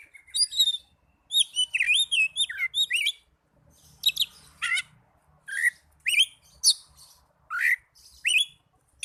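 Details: Oriental magpie-robin song used as a lure to get lazy caged birds singing: bright whistled and buzzy phrases, rising and falling slurred notes in quick bursts separated by short pauses, with faint low rumble beneath.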